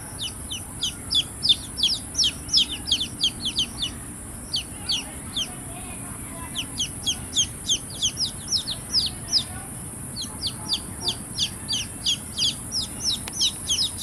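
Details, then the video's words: Baby chickens chirping: a dense run of high, thin, downward-slurred peeps, many chicks calling over one another about three times a second, with a steady faint hiss underneath. "Big Sound of Hen kids (Cute Baby Chicks Chirping Sounds)"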